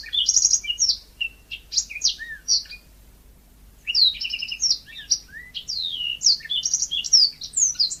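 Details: Yellow-fronted canary in full, energetic natural song: rapid high-pitched chirps, slurred whistles and buzzy trills, with one pause of about a second mid-phrase before the song resumes.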